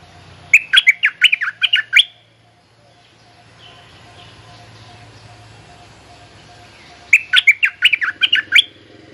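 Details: Bulbul mate-calling song used as a lure to teach young birds: a rapid burst of bright, choppy chirps lasting about a second and a half, then a pause of roughly five seconds before a similar burst; a faint steady hum underneath.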